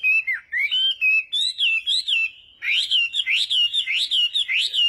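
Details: Chinese hwamei morning song, used for voice training: high slurred whistles wavering up and down, then a rapid repeated series of bright rising notes with ringing overtones.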